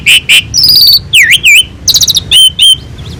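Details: Asian pied starling master recording with a lavish full fill-in song for tutoring: two loud chirps, a fast trill, V-shaped swooping whistles, a rapid stuttered rattle and two upslurred whistles.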